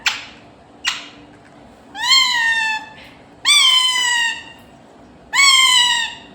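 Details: Pet parrot trying to say "Mummy": two short clicks, then three loud drawn-out, rich, slightly falling wails about a second long, spaced evenly with pauses between them, over a faint hum.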